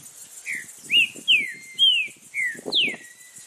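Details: A Green-winged saltator (trinca-ferro) sings in the wild in Brazil: a loud phrase of six rich, slurred whistles, some rising and some falling, over a steady high insect hiss and faint low rumble.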